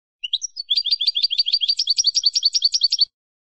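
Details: Malaga classic ancestral goldfinch song on a teaching recording for young birds: an opening twitter running into a steady, fast, bright trill of repeated double notes lasting nearly three seconds.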